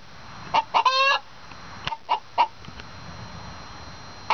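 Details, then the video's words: Hen egg song, bragging about laying an egg: two sharp clucks lead into one long, harsh, drawn-out squawk, followed by a few scattered softer clucks over a quiet background. "Egg Songs-A Hen Duet"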